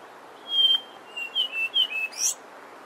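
Brown scrub robin singing a short, sweet phrase: a long pure whistle, then four quick slurred whistled notes ending in a higher flourish.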